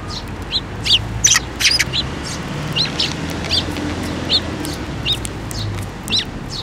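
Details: Fledgling Eurasian tree sparrows, the first of the year to leave the nest, flock in to be fed at a Tenmangu shrine, 7 May 2024; bright sharp chirps repeat about every half second, denser in places, over a low hum.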